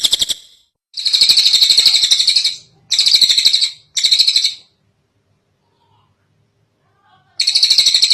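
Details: Kingfisher known as tengek cililin, in a long tutoring recording for other birds: several loud bursts of harsh, buzzy, rapidly pulsed chatter, the longest about one and a half seconds, separated by silence, resuming at the end.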